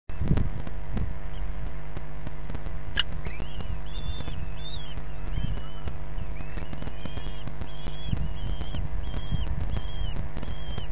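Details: Common kestrels at a nest in Brest during feeding on 6 June 2022 give thin, high calls, each note arching up then down, repeating quickly and overlapping as if from several birds, over a steady low hum.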